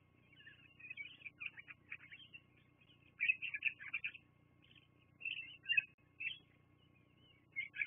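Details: Bald eagles at the Fraser Point nest on a live nest cam, 24 September 2022, around midday. Thin, high twittering notes come in several short bursts of quick piping whistles over a steady low background hum.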